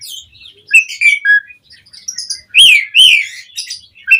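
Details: Jalak suren, the Asian pied starling, in 'mompa' song meant to provoke other birds into answering: sharp clipped whistles and scratchy notes, then two loud, ringing, slurred whistles near the end.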